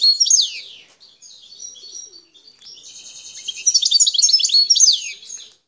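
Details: Wild Algerian goldfinch of the parva form, recorded in the Bouteldja sector of El Tarf, Algeria. High twittering phrases with fast slurred notes are followed by a buzzy, rattling trill that breaks into bright tinkling notes.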